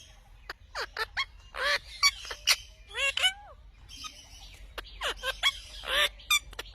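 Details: Indian ringneck parrot talking; a sequence of short harsh squawky syllables and clipped speech-like bursts with a few rising and falling tonal notes, irregularly spaced.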